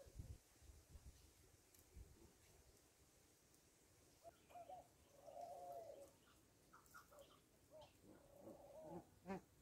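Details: Rock dove at a farm cooing faintly, two drawn-out purring coos a few seconds apart amid scattered clicks and low background noise.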